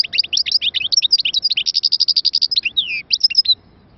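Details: European goldfinch delivering a dense, high twittering song of rapid sharp notes, with a longer downward-slurred whistle near the end and a few final chirps.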